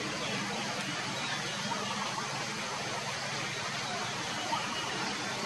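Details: Continuous broadband hiss like rushing water or distant traffic fills the recording, without any clear animal call.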